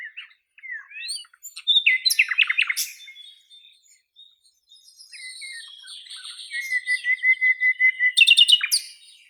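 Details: Nightingale in full song among flowering cherry branches in Russia: loud, rapidly repeated staccato notes in fast series, fluty whistled slurs, and a long even trill before a final burst of sharp repeated notes.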